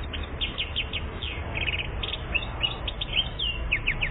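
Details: One-year-old European goldfinch recorded in Algeria in 2014, delivering a lively stream of rapid, high chirps and tinkling slurred notes, some rising and falling, with a soft low hum underneath.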